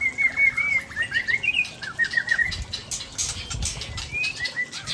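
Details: Aceh shama of Tangse stock singing rare mimicked phrases: a running series of clear whistled notes wavering around one pitch, then short upward-slurred whistles, steady and lively.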